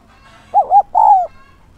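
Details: Spotted dove kept as a lure for wild doves, 'son'-voiced: a low, hollow three-part coo made of two brief arched notes and one long, gently descending note, clean and alone.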